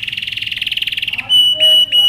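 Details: Canary in powerful training song, giving a fast, even high trill that breaks into sustained pure whistled tones.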